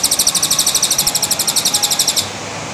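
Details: Fast machine-gun trotol from a white-rumped shama, played as a lure: over two seconds of evenly spaced, high, sharp notes, roughly twelve per second, ending suddenly; soft background noise only.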